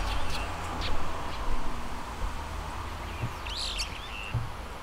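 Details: Brown-eared bulbul (Hypsipetes amaurotis) recorded from a window with a handmade parabolic microphone; one loud, harsh, twisting screech near the end after a few faint short notes, over a steady low rumbling hum.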